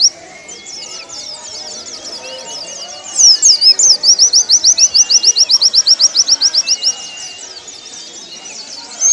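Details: High-pitched song of a Warbling white-eye, recorded for training caged birds. Soft twittering gives way to a loud, fast run of clipped, evenly spaced notes lasting nearly four seconds, then fades back to soft chatter.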